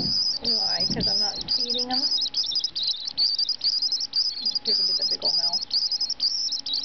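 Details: A White-throated swift, a wildlife rehabilitation patient at Project Wildlife in San Diego, gives shrill, high twittering chirps in rapid, nearly continuous bursts, with a person talking softly underneath.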